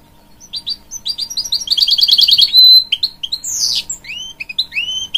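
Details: Hybrid goldfinch singing to encourage its young chicks: a rapid rattling trill of high notes, then a bright falling whistle and rising, swooping sweet notes.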